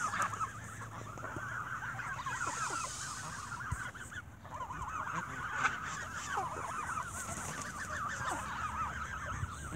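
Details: Geese squabbling at an evening feeding as bread is thrown to them: a dense, continuous chorus of overlapping nasal honks and chattering calls, with a few louder cries rising above the flock.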